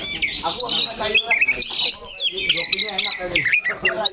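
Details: Oriental magpie-robin kept in a cage, sitting steady in one spot on its perch and singing a dense jumble of high whistles, sharp rising and falling slides and quick chirps, with some lower voice-like sounds mixed in.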